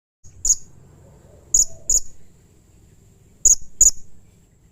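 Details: Blue-crowned hanging parrot calling aggressively and harshly: five sharp, very high, clipped notes in two loose clusters, a single, then a pair, then another pair, over a quiet low background hum.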